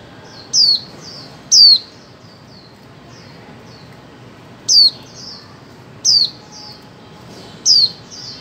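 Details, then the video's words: Female white-eye calling, used to stimulate mute birds to sing: high, sharp descending whistled notes with short trailing chirps, five loud calls spaced about one to three seconds apart. "Khuyên mái 2024 hàng giành cho chim câm"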